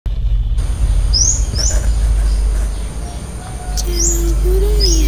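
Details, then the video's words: Male Brown-throated sunbird in the wild, feeding on nectar from rose apple (jambu) blossoms while giving short chattering calls: a few high, thin, upward-sweeping chirps in quick bursts over a steady low rumble, with a lower drawn-out whistled tone near the end. "Kolibri Kelapa Jantan Gacor Di Alam Liar"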